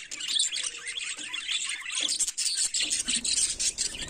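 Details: Budgerigars in the morning, a dense, continuous chatter of high chirps, squeaks and warbled notes from several birds at once, with brief lulls near one and two seconds.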